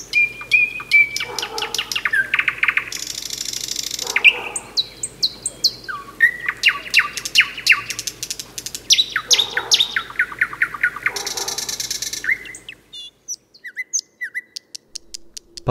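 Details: Thrush Nightingale, called the chief nocturnal singer of May, able to sing at any time even while thrushes fall silent: varied loud phrases of pure whistles, rapid clicking rattles and harsh churring bursts, pausing briefly between strophes.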